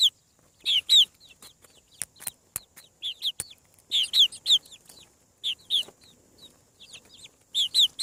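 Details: Hatching chicks on a farm call in loud, high, downslurred peeps, often paired, coming in irregular groups with pauses, while sharp clicks and taps sound between the calls.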